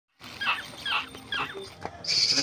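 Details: Young hand-reared birds, a yellow bird and koel chicks, beg at night indoors while being fed grasshoppers, giving three harsh, rasping calls about half a second apart that end in a high, hissing wheeze.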